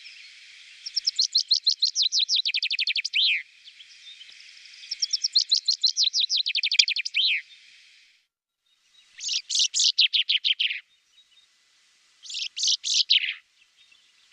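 Common chaffinch singing four bright, rattling phrases, each a run of descending trills ending in a quick flourish, repeated every few seconds.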